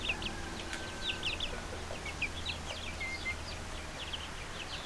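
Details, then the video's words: Little chickens cheeping softly, scattered high short peeps and a few drawn-out whistles, fairly quiet against a steady low hum. "LITTLE CHICKENS CHIRPING NOISE"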